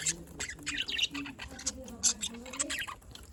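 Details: Afternoon budgerigar chatter from Larkana, Sindh: a run of scratchy, warbling high notes and short squeaks tumbling over one another with hardly a pause.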